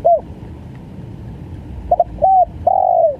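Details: Spotted dove (tekukur), gagap full style: a short hooked note, a pause, then a rapid stutter, a flat mid-length coo and a long coo dropping at its end.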